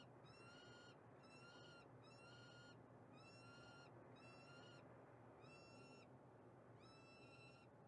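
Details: A female peregrine falcon in Montreal, Canada, gives seven harsh, nasal, drawn-out notes, each slightly rising, about one per second, over a steady low rumble of city traffic.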